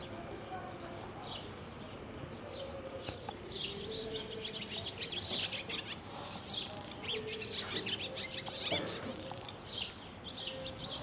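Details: Swallow calling: a loose series of quick, high chirps and twitters that begins around three seconds in and keeps going, over a soft low hum.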